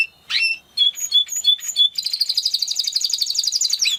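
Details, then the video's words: Spanish Timbrado canary song: a rising slurred note, a run of clear spaced whistles, then a long, rapid, bubbling trill ending with a downward sweep. "Canary Sound Effect - Canary Singing Video"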